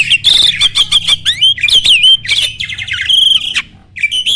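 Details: Starling song used as a master recording: loud, harsh chattering and buzzy squawks mixed with short twisting whistles, then a brief quiet spell before a final upslurred whistle.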